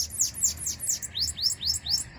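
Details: Sibite (bananaquit) out of its cage and loose: a series of about nine high, thin, downslurred whistled notes, roughly four per second, steady and evenly spaced, over faint low background rumble.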